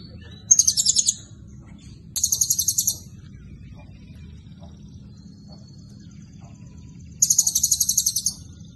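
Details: Blue-crowned hanging parrot in lively 'isian cililin' song, giving three short, shrill, very high trills of fast-pulsed buzzy notes separated by pauses, with a constant low background hum.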